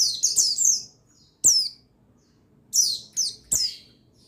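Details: A male buxtoni white-eye, played to excite other white-eyes into song: a quick run of high slurred chirps, then single sharp downward notes after pauses of about a second.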